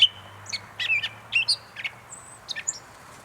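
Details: Gray Catbird at North Tetagouche, New Brunswick, giving a jumbled run of short, squeaky and scratchy high notes, about three a second, some whistled and some buzzy, over a faint low hum.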